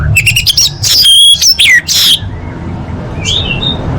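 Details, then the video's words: Orange-headed thrush song made for training kept birds: a dense run of loud, shrill, squeaky notes and slurred whistles over about two seconds, then a quieter pause and a thin rising whistle, with a steady low background hum. "Masteran ANIS MERAH"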